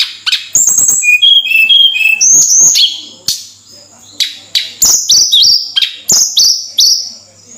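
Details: Flowerpecker in lively, energetic song: rapid, very high, thin twittering made of sharp, stabbing notes and short whistled trills, delivered in quick bursts almost without pause.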